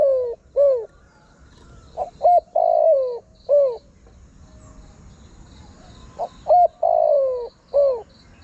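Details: Lure recording of a spotted dove calling to draw in wild birds: soft, hollow coo phrases of short upswept notes followed by a drawn-out descending coo, given in two bursts separated by a few seconds of quiet.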